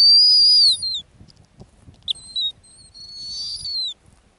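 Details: Loud, high whistles from a snowy owl on its Arctic ground nest: a long steady note that falls away at the end, a brief sharp click, then shorter whistled phrases sliding downward.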